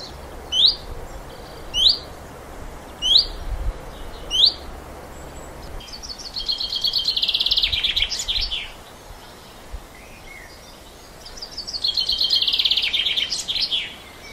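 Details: Common chaffinch on the island, singing its more elaborate breeding-season song twice: four short rising chirps about a second apart, then a bright, rattling trill that speeds down the scale into a closing flourish.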